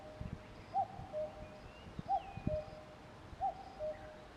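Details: Common cuckoo calling a two-note cuck-oo, the first note higher and the second lower, three times at steady intervals of about one and a third seconds, with faint thin whistles of other birds and low rumble behind.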